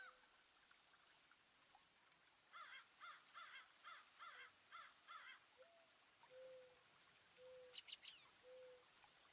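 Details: Garden birds in New Jersey, northeast USA, on 5 April 2024, a partly cloudy day of 36 to 50F with a 4.8 magnitude earthquake. A burst of harsh, evenly repeated cawing notes, then several low, plain whistles and sharp high chips.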